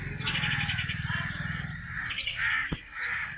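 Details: Crows calling: rough, grating caws over a low pulsing rumble, with a sharp click partway through and a final hoarse caw.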